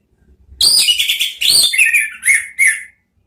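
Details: An orange-headed thrush (Geokichla citrina) sings a quick burst of high, scratchy twittering notes, ending in two clear, downslurred whistles.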